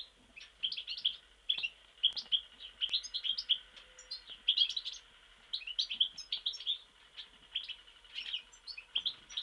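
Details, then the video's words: Mostar goldfinch delivering bursts of high, tinkling twitters and short buzzy trills, phrases separated by brief pauses over about nine seconds, with faint background hiss. "Stiglic Mostar ,Goldfinch Chardonneret"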